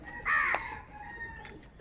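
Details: Morning crows fighting for food: a single hoarse caw lasting about a quarter second, followed by faint, steady whistled tones in the background.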